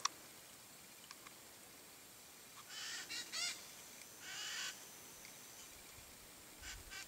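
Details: Blue-and-yellow macaw perched among Cerrado vegetation in Brazil, a few harsh rasping squawks in a short cluster mid-recording, then a pause and one more, set against quiet steady background hiss.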